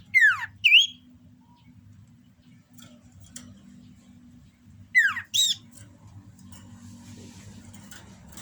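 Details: Common iora in breeding condition delivering two paired phrases about five seconds apart, each a fast falling whistled sweep followed by a short rising whistle, with a constant low hum between them.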